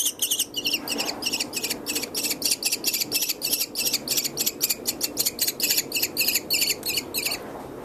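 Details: Fluffy orphaned baby American kestrel in a wildlife hospital alongside its adult male foster kestrel, an educational bird. A steady series of sharp, high, harsh notes repeats about three times a second throughout, over a faint indoor hum.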